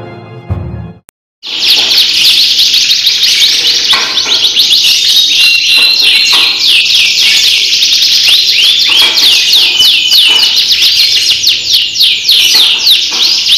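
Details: Champion canary from Central Java, Indonesia, singing a long, loud, continuous song of rapid trills and rolling, repeated sweeping notes, after a brief quiet start.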